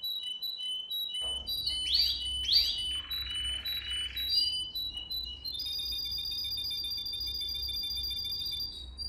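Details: Canary song used to train young canaries: rapid high trills, then loud swooping harsh notes and a buzzy rattle, ending in a long steady rolling trill with bright ringing notes above.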